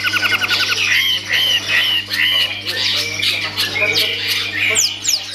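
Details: Caged long-tailed shrike performing, opening with a short rattling trill, then a string of clear whistled slurred notes mixed with scratchy chatter and a couple of high descending squeaks at the end.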